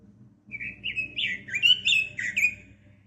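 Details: Red-billed leiothrix, known locally as pekin robin, singing a fast, continuous warbling phrase of slurred whistled notes that rise and fall for about two seconds, with a faint low hum underneath.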